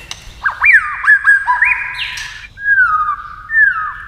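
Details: White-rumped shama singing competitively against a television; rising whip-like whistles give way to long, clear descending slurs, each phrase separated by a short pause.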